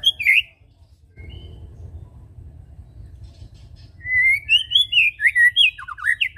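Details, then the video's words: White-rumped shama song used as a lure to stir birds into singing: one short whistled note, a quiet hum-filled stretch, then a lively run of clear whistles and slurred notes toward the end. "Ampuh Pancing bunyi burung Murai batu suka ngetem"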